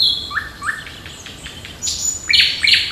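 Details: Birds in song on the morning of 8 June in park and forest: loud bright chirps, rising slurred notes, then a rapid run of strong repeated tweets.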